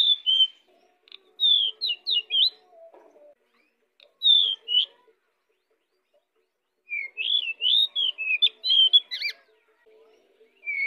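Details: Pied bushchat singing actively, a recording for luring other birds: bursts of quick whistled and twittering notes separated by pauses of about two seconds, with a longer fast, warbling run near the end.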